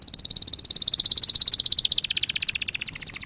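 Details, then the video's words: Canary song for training canaries: one steady, very rapid high trill of about fifteen pulses a second, dipping slightly in pitch toward the end. "Kanarya ötüşü- Kanarya dersi-kanarya coşturma"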